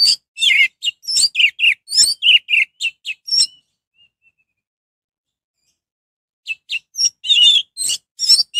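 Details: Orange-headed thrush song used to raise the excitement of other orange-headed thrushes so they sing too: a rapid, varied string of high chirps and short whistles for about three seconds, a pause, then another lively burst.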